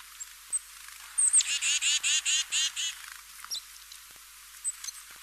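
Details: Song of a European crested tit: a sharp high note opens a burst of about eight rapid, purring rattled notes, with scattered thin high calls before and after in quiet surroundings.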